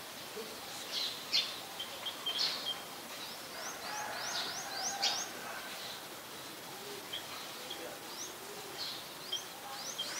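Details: Adult chestnut-headed bee-eaters in Ubon Ratchathani, Thailand, 13 February 2021. Many short, sharp rising chirps sound in loose bursts, some in quick series, possibly from several birds, with faint lower twittering and constant background hiss.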